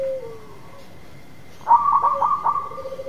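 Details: Zebra dove of a local strain singing to lure a silent dove into song: after a quiet pause, a sudden burst of sharp stuttering notes slides into a lower, steady purring trill.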